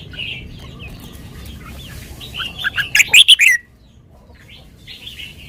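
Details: Red-whiskered bulbul, a caged songbird, sings a sweet lak wai style phrase: soft twitters building into a loud run of about six ringing chirps, followed by quieter distant chatter.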